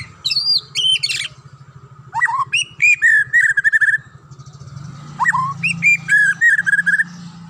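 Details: Wild forest white-rumped shama singing: loud, clear whistled phrases of quick slurred notes that jump and fall in pitch, delivered in short bursts with brief pauses, over a steady low hum in the background.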